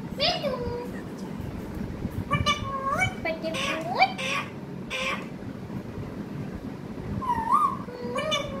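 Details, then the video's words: Pet parrot talking sweetly, giving short speech-like phrases in a nasal, harmonic voice, some rising or falling, in bursts around the first and third to fifth seconds and again near the end, over a steady low background hum. "Pyaari baate karne wala tota"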